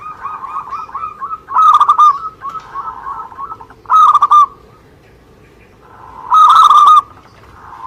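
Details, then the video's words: Local Indonesian zebra dove in vigorous song: three loud bursts of rapid, clipped coos spaced a few seconds apart, set over a steadier, softer stream of cooing notes, possibly a second dove. "Suara Gacor perkutut lokal"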